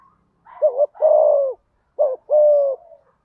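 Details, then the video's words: Spotted dove calling thúc gù in a deep thổ voice to rouse decoy birds: two close phrases, each a rolling double note then a long, gently falling coo. "Tiếng cu gáy thúc gù giọng thổ hay. tieng cu gay kich boi nhanh noi"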